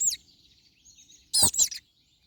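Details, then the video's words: Crested tits give a brief high falling note, then after a pause two quick, sharp trilled bursts in close succession, with faint twittering in the quiet background. "Pajaros canto Herrerillos Capuchinos"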